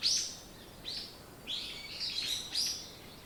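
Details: Short morning bird chirping, a few sharp high notes and slurred downward chirps spaced about half a second apart, over faint outdoor hiss.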